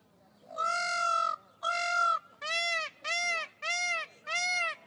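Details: Peacock showing off in the morning, giving its greeting: six loud, nasal, honking calls, the first two drawn out for about a second, then four shorter blasts in steady succession.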